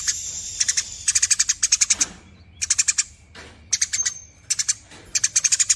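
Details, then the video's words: Eurasian tree sparrow repeating its long 'nyerecet' chatter: clusters of sharp, high chips delivered in quick bursts, with pauses and a brief thin whistled tone between them. "BURUNG GEREJA GACOR NYERECET PANJANG"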